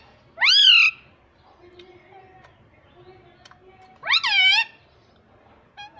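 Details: Talking parrot saying Hindi words like "mummy": two loud, clear speech-like syllables that rise then fall, spaced about three and a half seconds apart over a low indoor hum.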